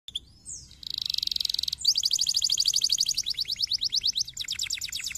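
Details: Canary song used to stimulate a lazy canary to sing: high trills of rapid notes, then a run of evenly spaced chirps, followed by faster repeated downward-sweeping notes.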